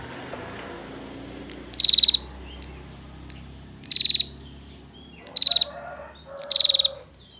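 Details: Female bar-winged prinia, kept as a master song for training songbirds, giving tight, rapid buzzy trills near one pitch. Four short bursts of fast ticking pulses sound over about seven seconds, with soft background hum.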